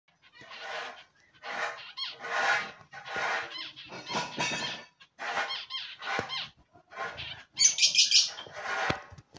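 A zebra finch sings a run of harsh, buzzy, nasal notes in short separate bursts.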